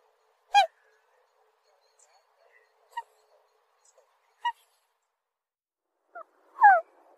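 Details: Black swan: an opening loud honk, a few faint short notes, then a longer drawn-out call sliding downward in pitch.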